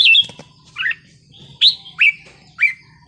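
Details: Red-whiskered bulbul giving wild-style song: a clear slurred whistle, then a burbled note and three sharp upswept whistled notes spaced about half a second apart, with a faint low hum behind.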